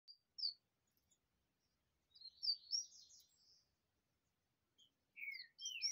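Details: Captive double-collared seedeater (Sporophila caerulescens) sings quietly while set out in the sun: a few high chips, a rapid burst of twittering notes, then sweet slurred whistles dropping in pitch.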